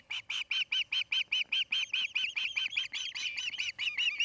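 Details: At a nest in Charlo, Montana, a newly settled osprey pair calls: steady bright, arched whistled chirps repeat about two and a half per second, with a second higher, thinner voice overlapping in the later half.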